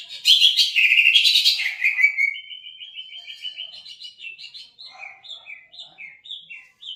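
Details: Cucak ijo (greater green leafbird) lure song for day and night therapy of silent birds: a harsh buzzy burst gives way to a long even trill, then spaced downslurred whistled notes.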